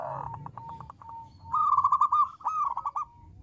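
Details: Local zebra dove song used to draw answers from other doves: a quieter run of quick, evenly spaced pulsed notes, then a louder rolling trill of coos and a second trilled phrase.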